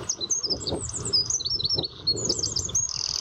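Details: A Eurasian wren in dense undergrowth at the Miño estuary sings a rapid, jumbled run of very high, sharp notes ending in a fast buzzy trill, over a low background rumble.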